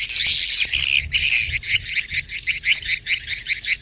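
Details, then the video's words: Swiftlet mating call: a choppy series of high, buzzy chirp bursts repeated roughly two or three times a second, from a crowded group. "SUARA WALET BirahiBeranak | the sound of swallow lust"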